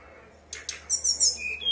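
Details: Brown-chested jungle flycatcher, a singing lure bird meant to prompt others to answer: two sharp clicks, then a brief run of high thin whistles ending on a lower steady note.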